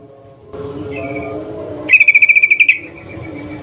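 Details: Female yellow-vented bulbul in breeding condition calling a male; a soft whistle over low hum, then a quick metallic trill of about eleven even notes and a fading whistle.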